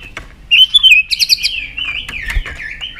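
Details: Fired-up caged white-rumped shama sings a continuous high warble. Clear whistled notes run into a fluttering, bubbling phrase, with short clicks scattered through it.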